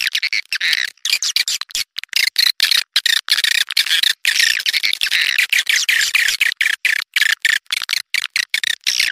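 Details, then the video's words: Swiftlet calls played to attract swiftlets: dense, rapid chattering twitters in broken bursts, buzzy and continuous with frequent short gaps. "suara burung walet panggil burung walet"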